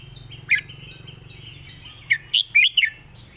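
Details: Master song of a red-whiskered bulbul kept for songbird competition: one bright note, then a brisk burst of four rich, rolling whistles. Faint high chirps repeat steadily in the background.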